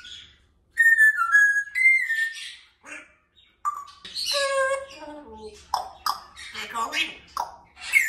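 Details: Male pet African grey parrot playing and talking on a window perch indoors: clear whistled notes near the start, then a run of harmonic, speech-like squawks and chatter with short pauses between bursts.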